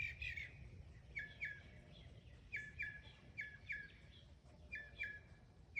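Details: Mockingbird, a mimicking bird, repeating a short doubled chip phrase several times with brief pauses between, amid low background noise.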